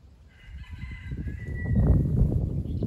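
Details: Rooster crowing in the countryside of rural Nottinghamshire at the end of November, heard in the background near alpacas. One drawn-out, harmonic crow lasts over a second and falls away at the end, while rumbling wind or handling noise swells underneath.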